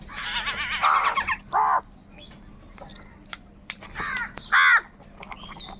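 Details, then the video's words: Crows squabbling over food, giving loud, raspy caws in ragged bursts, some wavering, with quieter chirps and clicks of other birds between them. "Crow birds loudly crowing sounds - কাকের ডাক Crow Sound | Kaka sound and noises of crow birds"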